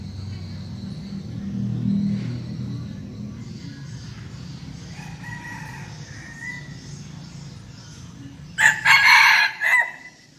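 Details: Seven-month-old red junglefowl decoy cock from Bình Phước, Vietnam: a softer distant-sounding crow midway, then a very loud, harsh, close crow in bursts near the end, over low background rumble.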